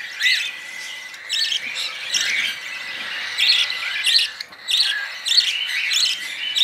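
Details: Budgerigar chick wiped clean with a cloth after a messy spoon feeding utters repeated raspy, hissing begging bursts about every second, over a soft steady background.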